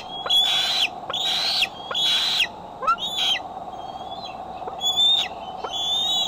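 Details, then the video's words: Eagle cam sound from the Decorah bald eagle nest, July 6, 2011, during afternoon and evening arrivals and departures: piercing whistled calls in short bursts, some rising and chattering, spaced unevenly, above a low continuous hum. "Decorah Eagles Coming & Going"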